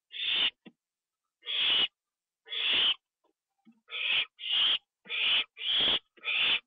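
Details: Owl inside its nest box at 1:52 AM on 25 September 2011 while being given a treat, which is eaten inside. Loud, harsh, hissing screeches of about half a second each, repeated eight times at uneven intervals, with soft faint clicks between.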